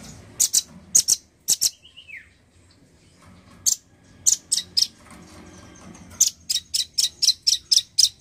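A male nuthatch gives sharp, very high chips in loose bursts, ending with a quick run of about three per second. A faint falling whistle is heard once.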